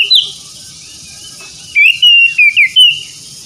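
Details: Kacer (Oriental magpie-robin) song from a therapy track for stressed, non-singing birds: a lone whistle, a pause of over a second, then five quick clear slurred notes.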